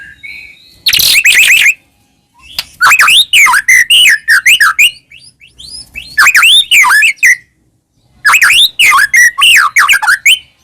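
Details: White-rumped shama, Medan type, singing loudly to provoke caged shamas: three bursts of rapid, varied whistled and chattering notes, with looping rising-and-falling whistles between brief pauses.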